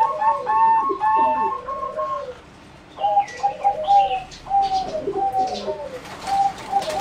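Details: Singing zebra doves bred for competition, a line developed from wild mutations, in a flight cage on 30 April 2014: series of clear, slightly rolling cooing notes repeated in phrases, several birds overlapping, with faint chirps in the background.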